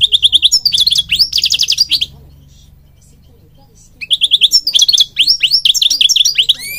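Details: Goldfinch song used to train other birds: fast repeated twittering notes with a buzzy trill, a two-second silence, then another burst of rapid tinkling chirps and slurred notes ending in a rising whistle.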